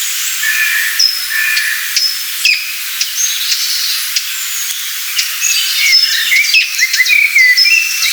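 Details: Common blackbird in Poland, ranked third among the country's most beautiful songsters, sings its noble evening song: unhurried, pure, fluty whistled phrases with pauses and low deep tones, amid thin, high twittering from other birds in a busy background chorus.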